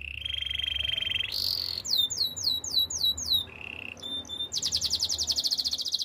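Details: A canary (listed as Belgian canary; the song is given as Spanish Timbrado training song) sings a fast sequence of phrases: a steady trill, buzzy repeated notes, a brief piping note, then a rapid rattling trill.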